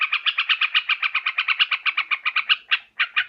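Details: Trapping lure of yellow-vented bulbul: a fast, even stream of harsh chattering notes, roughly four each second, breaking into a few separated louder notes at the end.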